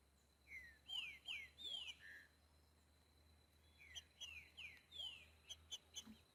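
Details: Boiadeiro-style song of a green-winged saltator in nature: two runs of four or five bright descending whistled notes, separated by a pause, over a steady low hum and faint background hiss.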